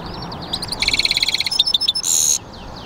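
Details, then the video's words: European goldfinch × canary mule giving a brief burst of song: soft twitters lead into a fast ringing trill of about a dozen notes, two sharp chips and a short harsh buzz. "European Goldfinch mule singing"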